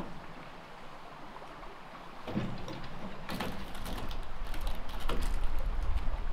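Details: Steady low rumble that swells partway through, with scattered knocks and clattering like a door or machinery; no animal calls.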